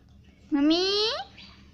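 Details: Parrot kept as a pet mimicking the word "mummy", one sustained nasal utterance that starts low and climbs steadily before breaking off, in a quiet room.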